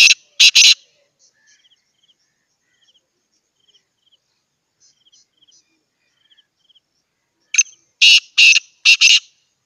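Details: Black francolin, locally kala teetar, a hand-tamed pet bird in Pakistan, gives loud harsh rasping notes at the start, then a grating series of four or five scratchy bursts near the end; soft high chirping ticks fill the gaps between.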